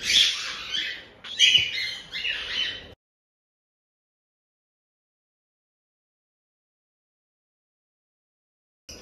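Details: Three seconds of harsh, scratchy jaa-jaa begging cries from cockatiel chicks about a month old at a Tokachi, Hokkaido breeder: a few rasping bursts in quick succession, then silence.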